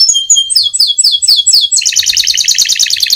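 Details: Lively canary singing a long roll, the kind used to coax canaries into song: clear swooping high notes in a quick series, then a dense, rapid buzzing trill, loud and free of background noise.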